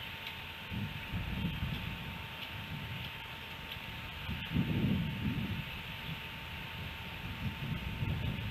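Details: Steady wind and rustling with low rumbling gusts, a faint hum throughout, and no animal voice.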